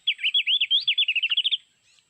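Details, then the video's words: Mountain white-eye, Sulawesi, heard from an MP3 lure while trapping: a single fast high warble of looping whistles, notes quickening and shortening before it stops. "Mikat burung pleci gunung Sulawesi"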